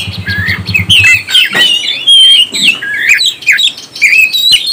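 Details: Oriental magpie-robin song played to stir up other birds' emotions: a rich, varied run of whistled, warbled and slurred phrases with sharp clicks, following a brief low rhythmic pulsing at the start.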